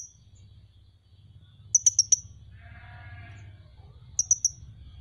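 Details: Caged Van Hasselt's sunbird producing two brief runs of three to four high ticking notes over a steady low hum and a soft mid-pitched rustle.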